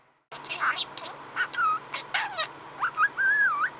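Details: Contented pet male budgerigar chattering happily indoors: a quick run of short chirps and clicks, then whistled warbling notes that rise and fall in wavy glides near the end, with a steady low hum underneath.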